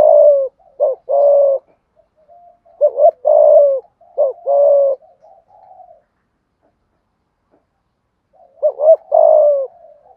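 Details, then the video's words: Decoy spotted dove with a 'thổ' voice, cooing in 'thúc gù' style to draw wild doves to the lure: four low phrases of short wavering notes and drawn-out falling coos, with a long pause before the last, otherwise quiet. "Chim cu gáy thúc gù bài bản giúp bổi nghe xiêng gáy và mau lên mồi"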